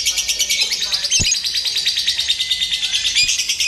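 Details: Lovebird chatter from a simulated singing contest meant to steady a bird for competition: shrill, fast, buzzy trills pulsing steadily, broken once by a sharp knock near the start.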